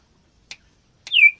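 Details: Captive common iora, one of a male-female breeding pair: two soft clicks, then a single sharp whistled note falling and fading.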